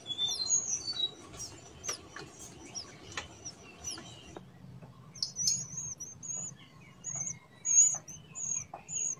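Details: Wild Blood-breasted Flowerpecker giving thin, very high, sharp notes in quick clusters, with a pause before more rising and falling high notes. Lower twittering from other birds runs underneath, over a steady low hum.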